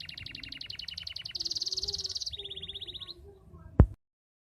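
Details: Canary singing steadily, used as a lure to prompt silent or reluctant canaries to sing: a fast rattling trill, then a brighter buzzy roll, then a lower repeated trill, ending in a sharp knock and silence.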